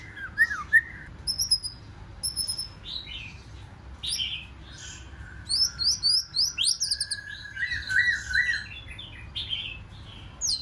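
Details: A wild-caught white-rumped shama delivers its forest-style fighting song: scattered whistled phrases and high notes, then a run of quick, rising high notes over a sustained lower whistle, in a lively, varied pattern.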